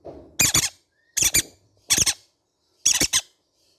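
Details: Young green-cheeked conures calling indoors with four rough, doubled squawks, each pair a quick harsh stutter, about once per second.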